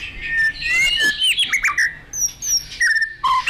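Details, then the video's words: Excited white-rumped shama in full vigorous song: loud rich whistles sliding up and down, mixed with fast chattering notes and high sharp phrases, delivered in quick bursts with short pauses. "Murai batu emosi gacor"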